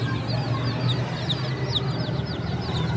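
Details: A brood of chicks peeping, bright downward-swooping notes several per second, some louder ones standing out, against a low steady buzz.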